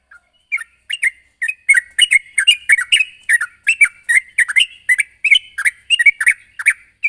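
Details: Sooty-headed bulbul, chattering and calling a rival: after a single opening note, rapid bubbly chirps follow in close clusters, steady and loud throughout.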